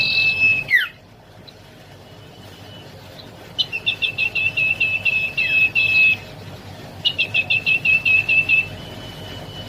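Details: Young common iora delivering two bursts of rapid, stuttering high notes, about a dozen each, separated by pauses. There is a brief downward slurred whistle at the start and faint steady whistling between the bursts.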